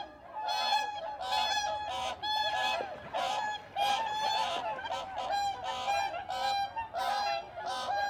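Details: A flock of bean geese in Korea keeps up a steady, overlapping chorus of nasal, resonant honks, several calls each second.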